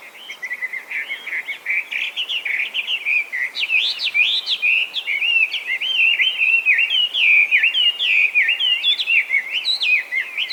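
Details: Chinese hwamei, an invasive species in Japan that went feral after escaping or being released from captivity, singing loudly and continuously; a rich, varied stream of whistled phrases, rising and falling slurs and rapid notes, with no pauses.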